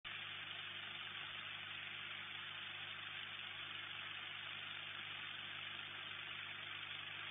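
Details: A steady engine-like drone and broadband hiss run without a break, with a sharp upper cutoff and no animal calls anywhere.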